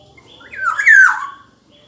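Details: Kepodang, or black-naped oriole, giving a lone hoarse, drawn-out cry that swells then falls away in pitch over about a second, with a soft murmur in the background.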